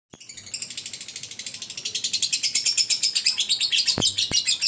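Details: Lovebird giving a long ngekek trill: a fast chain of shrill, high chattering pulses that starts softly and grows steadily louder, with two sharp clicks near the end.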